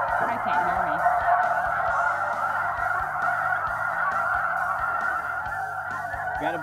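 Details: Snow geese in a big flock passing over a hunting pit blind while a guide runs an electronic caller: a thick, continuous wall of rapid, overlapping honks. A man's voice is briefly heard and low musical notes hum beneath.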